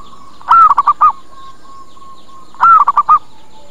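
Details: Zebra dove lure sound meant to bring birds quickly and get replies: two phrases of one drawn-out coo then three quick short coos, separated by about two seconds of softer, faint cooing notes.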